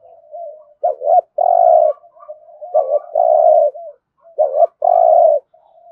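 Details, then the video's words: Spotted dove giving thúc gù calls in the resonant 'thổ rền' voice: three phrases, each a quick doubled coo then a long, rich drawn-out coo, roughly every two seconds, with soft low coos between. "Tiếng cu gáy thúc gù giọng thổ hay rền rền"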